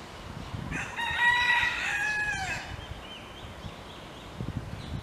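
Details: Rooster, wild in Hawaii, crowing to wake a hen: one strong, harmonic cock-a-doodle-doo lasting about two seconds, with rising and falling inflection, over soft background hiss and a few faint chirps afterward.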